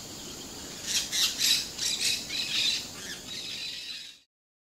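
Blue-winged parrotlet giving a quick series of high, harsh, chattering squeaks, about three a second for three seconds, over a steady high hiss of insects.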